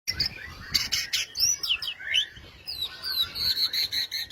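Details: White-rumped shama singing vigorously, with loud high whistled notes and quick sweeping slurs. Short bursts repeat rapidly, ending in a run of evenly spaced sharp notes.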